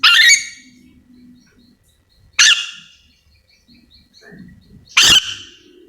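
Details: Yellow-and-green lorikeet, endemic to Sulawesi, giving three harsh, broad screeches about two and a half seconds apart, with faint low murmuring and a soft whistle between them.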